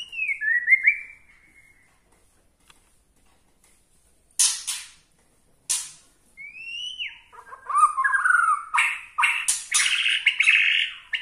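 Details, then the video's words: A Bornean-style white-rumped shama, whose song is said to provoke other shamas, gives rich whistled phrases, some sliding, some buzzy, broken by sharp raspy bursts, building into fast varied song toward the end. "gaya murai BORNEO bikin murai lain Naik darah"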